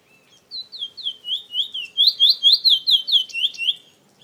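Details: A captive male chestnut-bellied seed-finch (Trini bullfinch), which moulted all black in August 2017 and sings plenty of "weet" notes, gives a fast, clear run of sweet down-slurred whistles, about four or five notes a second, over a quiet background.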